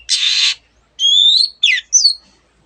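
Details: Long-tailed shrike giving a harsh grating rasp followed by a level high whistle, a short downslurred note and a final falling whistle, part of a song rich in imitations of other birds.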